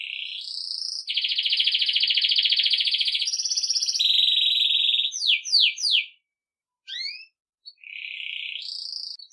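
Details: Belgian canary, campainha song meant to teach young birds: long steady rolling tours held for seconds, changing pitch step by step, followed by rapid downswept chips, a short silence, and a final high rolled trill.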